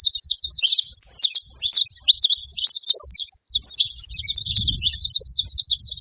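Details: A male and a female saffron finch make a steady, busy stream of high, rapid chirps, twittering trills and sharp scratchy notes, with a faint low murmur in the background.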